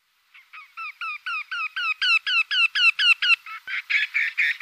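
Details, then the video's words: Eurasian wryneck, a small migratory woodpecker-family bird: a steady series of nasal, ringing 'quee' notes, about two per second, growing louder and higher over the run before shifting into harsher, broader notes at the end. "Krętogłow. Odgłosy krętogłowa. Dźwięki Krętogłowa."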